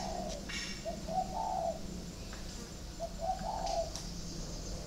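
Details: A decoy Chinese francolin gives two short, rhythmic, mid-pitched phrases a couple of seconds apart, over a steady low hum and faint background noise.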